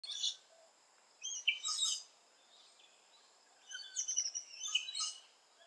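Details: Rainbow lorikeets in Australia, active around nesting holes: two bursts of shrill, harsh screeching with thin high whistles, separated by quiet pauses of about a second.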